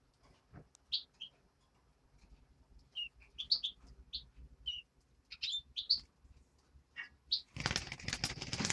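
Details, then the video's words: Greenfinch nestling uttering spaced high chirps and short buzzy notes over soft background hum, ending in a loud burst of rustling noise. "Птенец зеленушки"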